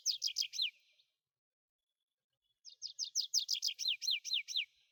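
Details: Tree pipit singing in two bursts: first a short series of sharp repeated notes, then after a gap a longer, accelerating run of about a dozen high, down-slurred chirps repeated twice per second or faster.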